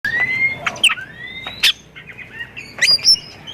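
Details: White-rumped shama song used as a lure to draw other shamas into singing: long clear whistles, some rising or sliding, mixed with sharp chips and bursts, with fainter overlapping whistles in the background.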